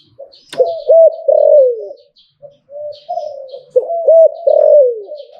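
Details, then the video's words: Zebra dove song in the Thai hlio-tan style. After a sharp click, a phrase of looped rolling coos ends in a long falling note. The phrase repeats after soft coos, with faint high chirps behind. "หลิ่วตันตลอด Thai dove"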